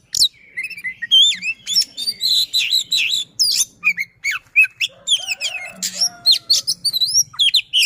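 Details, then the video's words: White-rumped shama of the Sisinga style in captivity, singing long and persistently with fast trills, sweeping whistles and sharp chips packed closely together. "Kacer SISINGA, Speed Rapat Durasi Dapat | Roll Tembak dan Ngotot, Pancingan Kacer Macet Bunyi."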